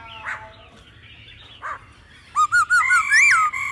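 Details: Laughingthrush in a mature wild-forest singing voice with female calls, used to spur birds into song: faint scattered notes at first, then loud clipped whistles and a rising, looping whistled phrase.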